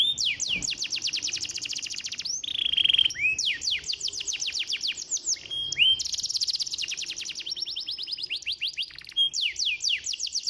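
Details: Lure song of a canary meant to stimulate silent birds: bright, rapid rolling trills of repeated high swept notes in bursts of several seconds, broken by short steady whistles and quick pauses.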